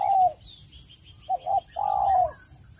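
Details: Spotted dove call used in bird trapping. Closes a long coo, then after a pause gives two short coos and a sustained, softly falling coo, with faint chirping and a constant high tone.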